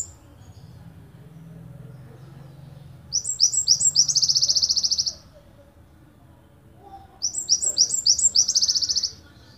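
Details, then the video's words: A Java sparrow from Ponorogo gives a long song in two high bursts: a few quick chipping notes that run into a dense, buzzy trill, over a faint low hum. "Gelatik wingko tembakan panjang"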